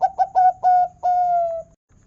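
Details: Local zebra dove singing in the big 'kung' style, used to prompt other zebra doves to sing: four short, hollow coos coming quicker then longer, ending in a drawn-out note that sags slightly in pitch, followed by silence.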